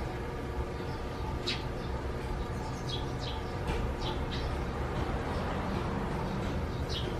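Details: Sparrows nesting deep in a gutter hole under roof eaves, heard in the morning on 3 June 2020: short, sharp high chirps scattered through the clip, about six in all, over a steady low rumbling hum.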